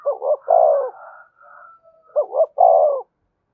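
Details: Two cooing phrases from a spotted dove used to lure wild birds, each two quick rising notes and a long throaty coo, separated by a softer, warbling lower call.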